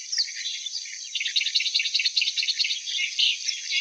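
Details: Clamorous reed warbler singing a rapid, dense chattering burst of harsh repeated notes, strongest in the middle seconds, with a louder scratchy note near the end and a constant high hiss.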